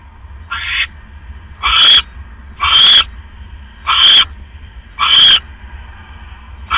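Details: Owl at its nest before dawn on 5 October 2015, with a rat delivered as prey: six loud, harsh screechy bursts, each about half a second long, repeated roughly every second, over a low background hum.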